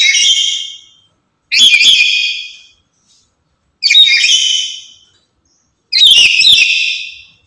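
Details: Lory kept as a decoy and song tutor for other lories, calling loudly: four grating, whistle-tinged screeches in steady succession, each about a second long with brief silences between.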